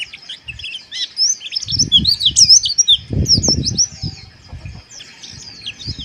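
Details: White-eye chirping harshly for breeding-arousal therapy: bright, high, sharply bent notes in quick jerky series, mixed with heavy low fluttering and thumping, probably wingbeats, in the cage.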